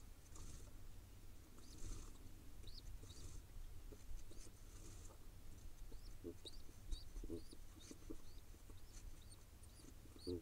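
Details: Wild pigeon nestling in Israel begging while being fed by its father: thin, rising high squeaks repeated in irregular bursts, with soft low thumps and shuffling throughout.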